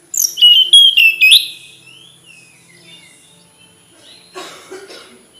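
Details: Tledekan gunung flycatcher opens with a loud, fast series of whistled notes stepping up in pitch, followed by softer faint whistles and a brief rustling noise.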